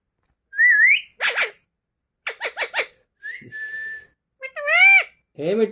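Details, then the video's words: Green Alexandrine talking parrots indoors: a wavering whistle, a burst of three buzzy notes, a flat whistled tone, then a rising-falling harmonic squawk and trailing mimicked sounds. "Green Alexandrine Talking Parrots"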